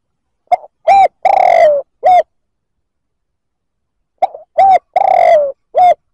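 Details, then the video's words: Spotted dove cooing to provoke other males. Two phrases about 3.7 seconds apart, each a faint note, a clipped coo, a long buzzy coo sliding downward and a short final coo. No other sounds. "Tiếng chim cu gáy kích bổi chuẩn"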